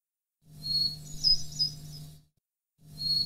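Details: Hermit thrush song phrase taken from a record: thin, high whistled notes open, then a fluttering chirpy trill of rapid tinkling tones for about two seconds; a second phrase begins after a short pause, over a steady low hum.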